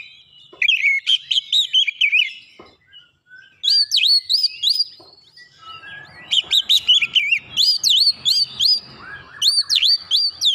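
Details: Oriental magpie-robin singing rapidly in bursts: bright whistled slurs and quick repeated up-sweeping notes, short gaps between phrases, ending in a run of sharp down-up whistles with faint raspy undertones.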